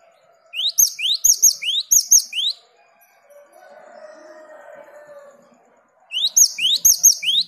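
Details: Cinereous tit (gelatik batu), a recording used to prompt a bird into its long rolling 'ngerol' song: quick series of sharp, rising, upswept whistles in bursts of about four, a pause with a faint low hum, then the series resumes.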